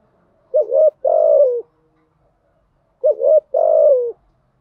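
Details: Spotted dove coo used to rouse decoy doves; two identical phrases about two and a half seconds apart, each a quick wavering note followed by a long hoarse slightly falling coo, in otherwise quiet surroundings.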